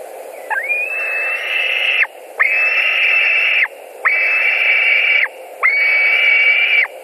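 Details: White-tailed eagles in Latvia at their nest, 11 July 2020 at 21:09, one returning to the other: four long, even whistles, each about a second and a half, separated by short pauses.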